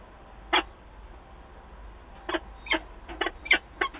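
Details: Peregrine falcon at its nest in Wałbrzych, Poland, 8 August 2022, as birds meet there: a few scattered harsh, clipped notes, one isolated and then several in a loose cluster over a low background hiss.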